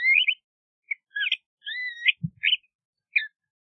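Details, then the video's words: LeConte's thrasher singing a few varied phrases: a rising slurred whistle, short chips, and a long sweeping whistled note, separated by brief pauses. "LeConte's Thrasher Song! LeConte's Thrasher Call - Cuitlacoche Pálido Canto"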